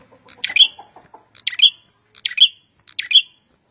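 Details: Red-headed prinia singing energetically: bright, clipped, high chirps, each burst ending in a thin whistle, repeated four times at under one-second intervals. Soft lower twitters sound early on.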